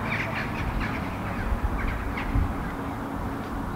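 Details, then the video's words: Eurasian jackdaws, a flock flying at dusk over Helsinki, Finland, in October 2015, give short, sharp, clipped calls from several birds in quick, overlapping succession, set against a steady low rumble of background noise. "Flock of Jackdaws flying at dusk, vocalizing"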